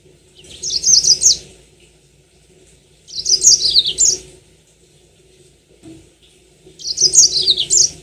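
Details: Three bursts of jumbled, high twittering song from a Yellow-fronted canary, each about a second long and spaced roughly three seconds apart, played as a lure to make birds sing long rolling phrases.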